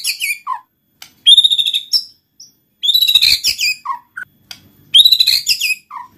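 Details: White-rumped shama song used to get other shamas singing: repeated loud rich warbled phrases separated by short pauses, each followed by a low rolled note.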